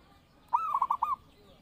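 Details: Zebra dove song used as a lure and master call for training birds. A single cooing phrase opens with a rising note, followed by four quick rolling pulses, over a quiet background.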